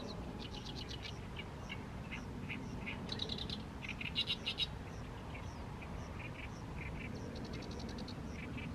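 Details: In the evening sun of mid-May, an Oriental reed warbler sings nonstop from a fallow field: loud, rasping, repeated chack-like notes in rhythmic clusters with harsh trills, over soft constant background hiss.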